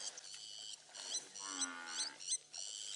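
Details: A Blacksmith lapwing (Vanellus armatus) gives an alarm call, sharp metallic clinking notes in quick ringing bursts, scolding a Cape buffalo that will not move; a low drawn-out grunt or voice sounds midway.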